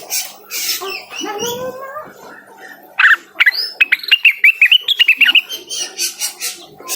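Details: Blue-winged leafbird (cucak wilis) singing energetically to call a rival: scattered softer chirps and a low warble open, then from three seconds a rapid run of sharp, bright, high chirps, about three per second.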